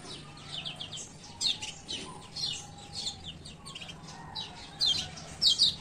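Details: Lombok male Lemon-bellied White-eye (kecial kuning) giving ciak ciak calls, a lure for birds reluctant to sing. Quick high twitters in loose groups, louder paired notes near the end, with a steady low hum beneath.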